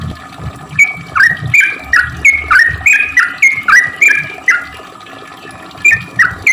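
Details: Sooty-headed bulbul in lively 'cuk cuk' song, played to lure bulbuls that seldom sing: a brisk string of bright dipping notes, a pause near the end, then a few more notes over low rumble.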